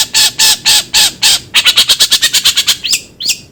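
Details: Long-tailed shrike giving five loud, grating squawks about a third of a second apart. A quick run of short ticking notes follows, then two sharp, descending whistled slurs.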